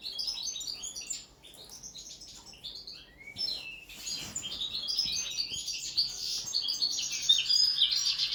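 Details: Common linnets kept in captivity, first table-singing training; fast, busy twitter of high chirps, buzzy notes and brief trills, dense and continuous after a short lull, building to a steady warble toward the end.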